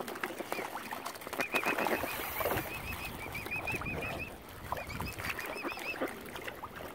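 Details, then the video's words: An angry mother swan, hungry because algae killed normal food supplies, at Oxford Island Nature Reserve on Lough Neagh, Northern Ireland; a long series of high, bouncing, warbled notes runs through, with splashing and water clatter behind. "ANGRY MOTHER SWAN. HUNGRY AS ALGAE HAS KILLED NORMAL FOOD SUPPLIES."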